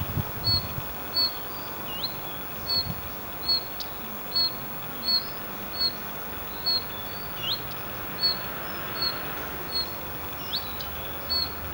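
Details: Common redstart (Phoenicurus phoenicurus) giving thin, high call notes about once a second, mixed with a few rising whistles, over a steady low background hiss.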